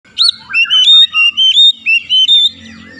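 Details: Oriental magpie-robin (kacer) song, played as therapy to prompt birds to open their beaks quickly: loud clear whistled notes with rising and falling slurs, in about eight bursts of similar length with brief gaps, some higher sharp notes between.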